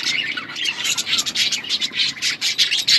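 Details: Chorus of budgies in an outdoor colony, loud busy chirping and scratchy warbled chatter from many birds at once, rapid short notes overlapping without pause.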